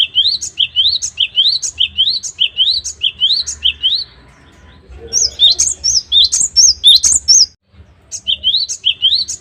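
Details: Great tit (gelatik batu), a lively singer, recorded as a master song for training caged songbirds: fast runs of rising two-part whistled phrases, a short pause, then higher sharp notes and more rising phrases, over a low hum.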